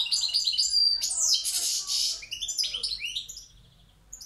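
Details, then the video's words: Balcanica goldfinch from Pirot pouring out a loud, dense twitter: rapid liquid notes swell into a buzzy, rasping stretch, then break into short descending chips that fade away. "Carduelis balcanica Pirot Štiglić"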